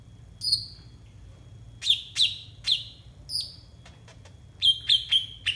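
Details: Konin birdsong used to train untrained konin: scattered sharp falling chirps with gaps, then a quick burst of three rapid chirps at the end.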